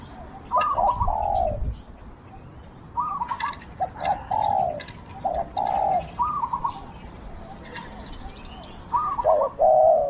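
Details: Decoy spotted dove in Thailand, calling in a small voice to lure wild doves. It gives low, slightly falling coos in irregular bursts, with faint chirps and thin whistles from other birds behind.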